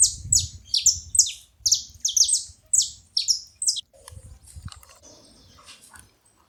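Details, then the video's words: Saffron finches in a group, a dense burst of high, falling chirps stacked and overlapping for about four seconds, then fading to a few faint notes and quiet. "Canarinhos da terra junto fazendo barulho"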